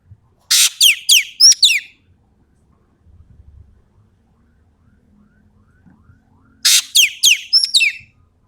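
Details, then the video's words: A Sumatran Ekek keling gives two bursts of four loud, harsh, high notes, each sweeping downward, about six seconds apart, with faint low rumbling between them. "BURUNG EKEK KELING SUMATERA GACOR"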